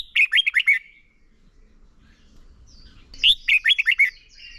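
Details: Red-whiskered bulbul singing contest-style as a lure for training; phrase styles ép bổi, sổ bọng and căng lửa. Two emphatic bursts of quick, bubbly notes, each about a second long, with a pause between.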